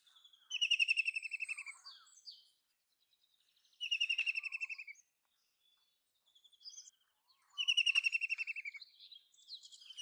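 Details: Three bouts of a White-throated kingfisher's rapid, falling, rattling trill spaced a few seconds apart, with fainter chirps from other birds between them.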